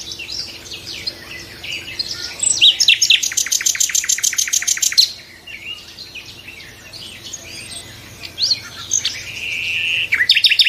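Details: Nightingales singing: soft high scratchy phrases build into a loud run of fast repeated clicking notes, followed by quieter varied warbles and a short whistled note near the end.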